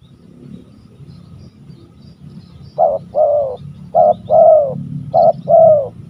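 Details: Old spotted dove calling after a quiet start: three paired coos, each a short clipped note followed by a longer, fuller falling coo, repeated about once a second, over a low background hum.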